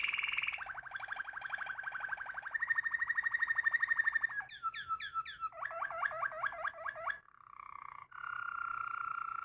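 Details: Waterslager canary song with rolling, water-like trills held on one pitch, then a series of bubbling, gurgling notes rising and falling, and smooth, steady, whistled tones at the end.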